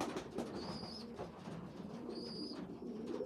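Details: Young pigeons, a weak small youngster feeding bigger ones; low burbling coos under two clear high thin squeals, each about a third of a second long.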